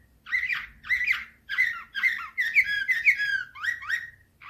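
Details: 2024 recording of a Slavujar canary singing loud, separate warbled motifs roughly twice a second, each a chirpy slur with bright whistled accents, over faint low hum.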